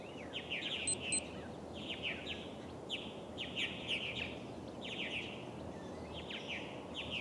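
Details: Purple martin at an osprey nest, Steigerwald Lake National Wildlife Refuge, Washington, USA, July 24, 2011: rich, gurgling chirps in short bursts of slurred notes every second or so, over a steady low rumble of wind or ambient noise.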